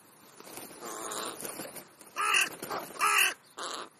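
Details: Crow caws during a midmorning feeding: several loud, hoarse, grating calls, the last three close together and strongly ringing, each under half a second, with quieter rasping notes before them.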